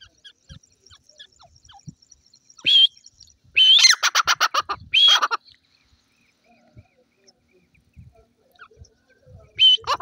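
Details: Scattered francolin calling: brief whistled starts and a couple of harsh pulsed runs, separated by long quiet gaps with faint low knocks and rustles.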